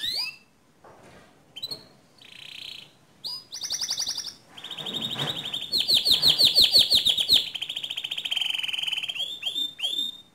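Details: Canary singing as a lure to set another canary singing: short scattered notes and pauses give way to steady high trills, a loud rapid rattling roll in the middle, then drawn-out downslurred whistles.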